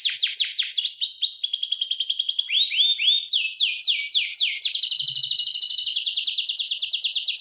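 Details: Canary song made of back-to-back rapid trills, each tour switching pitch and speed, some slurred and swooping and others a tight, even roll.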